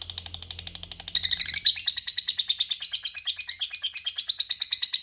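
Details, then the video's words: Lovebird's long ngekek, used to lure rival lovebirds into calling back: quick, buzzy string of piercing chirps, quieter at first and louder from the second onward, with a soft low hum early on. "Pancingan Lovebird Paling DiSUKAI Lawan AUTO Nyaut Ngekek Bersahutan, Burung Lovebird Ngekek Panjang"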